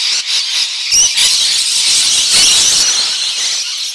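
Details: A flock of what sounded like hundreds of rainbow lorikeets (Trichoglossus moluccanus) in a neighbour's gum tree in Chelsea, Victoria, Australia screeches in a dense wash of harsh shrieks and chatter as it suddenly bursts out en masse and flies off.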